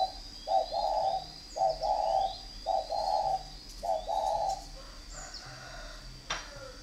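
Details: Spotted dove kept for fighting, cooing in a series of soft, low, burry phrases, each a short rolling coo repeated about once a second, with faint high chirps from other birds behind.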